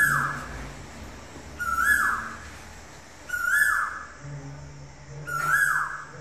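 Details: Indian cuckoo recorded at sunset in Silchar on a mobile phone, giving loud, short mellow whistled phrases about every two seconds, with faint high rasping sounds and low background rumble.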